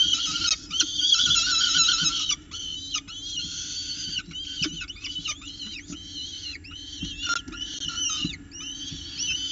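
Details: Peregrine falcon chicks calling during the first breakfast at a nest box in Orange, 29 October 2018, squabbling over prey as the female feeds them; loud, continuous high chittering and wailing squeals, rapidly repeated with arching notes.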